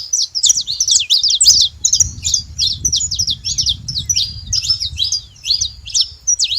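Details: Saffron finches making noise at a feeding site, with rapid high chirps and slurred twitters repeated nearly three per second, continuous across the whole stretch above a persistent low rumble.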